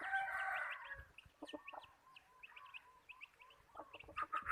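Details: Decoy chicken used to lure birds, giving a short rough crow-like burst, then a run of quick soft clucks amid small birds' high chirps.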